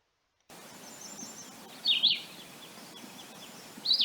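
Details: Philadelphia vireo (Vireo philadelphicus) song: short, choppy, high whistled phrases separated by pauses, two heard about two seconds apart, weaker, quieter and higher than red-eyed vireo's, with faint higher chirps and steady background hiss.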